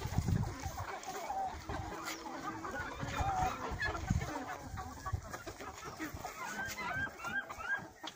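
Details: A flock of young chickens recorded in April 2020, including Yurlov crower, Orlov chintz and Liven chintz breeds, clucking and peeping, with people talking softly in the background.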